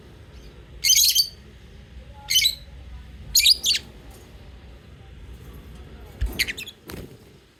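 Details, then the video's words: Lovebirds singing and chirping: clusters of shrill, high-pitched chirps come in short bursts every second or so, with a few softer clicks near the end over low indoor hum. "Cute love birds singing sound and chirping sound"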